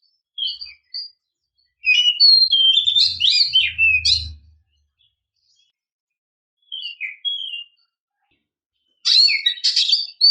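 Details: A female Oriental magpie-robin calls to stir caged males: a varied, twittering phrase of rising and falling whistles, a pause, a short soft phrase, then a scratchy burst at the end. A brief low rumble is heard mid-phrase.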